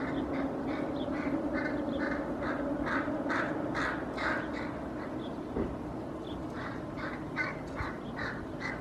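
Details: Wild hooded crows at a cliff in Helsinki, Finland, 8 May 2024, mobbing a common raven out of sight that had been pulling apart a feral pigeon carcass; dense, overlapping hoarse caws repeated more than twice a second throughout, with low background hum.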